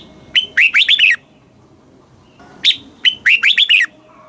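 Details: Red-whiskered bulbul kept in a cage in Thailand, southern master-song style, used to excite and tutor birds: two loud, clear phrases of about six rolling, slurred whistles each, the last notes dropping, separated by over a second of quiet.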